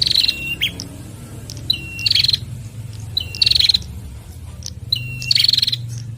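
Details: A male and female bar-winged prinia pair answer each other energetically. Each phrase is a high thin note, then a lower whistled note, then a rapid buzzy trill, repeated about four times. A low steady hum runs underneath.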